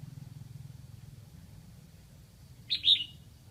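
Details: Decoy red-whiskered bulbul from Lang Son singing to attract wild birds: one brief, bright two-part whistled phrase near the end, preceded by low pulsing background hum.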